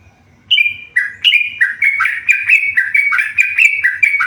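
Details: Yellow-vented bulbul, a tame bird in full, lively song. After a brief silence it pours out a fast chain of bubbly, stepped notes that drop and rise, about one and a half per second, over a faint low hum.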